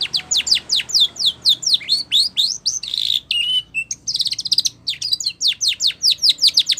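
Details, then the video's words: Training song of a Spanish Timbrado canary, continuous and loud: rapid falling whistled notes, a brief mid-song pause with a low warbled phrase, then fast rolling series of descending notes resuming. "Spanish Timbrado song For Training"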